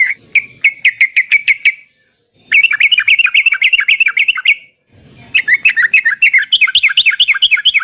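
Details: Yellow-vented bulbul in full prolific song: three long bursts of rapid, bubbly, slurred notes, each lasting about two seconds and separated by brief silences, the later bursts rising and falling in quick waves.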